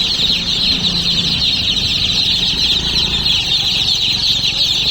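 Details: A crowd of baby chicks peeping nonstop, thin shrill chirps layered into an unbroken high chorus, with a soft low drone beneath.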